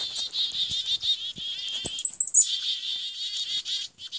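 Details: A chickadee during an attack gives a rapid, nearly continuous stream of harsh, buzzy notes, with a brief thin high whistle midway and a few soft flutters or taps.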